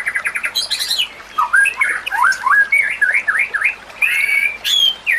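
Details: White-rumped shama song used as a training model for other shamas, with natural sounds and trickling water behind: varied phrases of whistled, slurred notes rising and falling in quick succession, mixed with high buzzy bursts and sharp chips.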